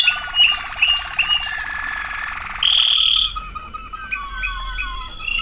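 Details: Waterslager canary song, 2009: bright chirps and a rolling trill, then a loud sustained high whistle, followed by softer bubbling notes.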